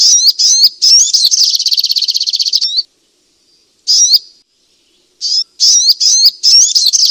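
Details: Striated grassbird song for coaxing a quiet caged bird into singing: a run of sharp high whistles leading into a long rapid rattling trill, a pause, then isolated flicked whistle notes and a fresh burst of phrases.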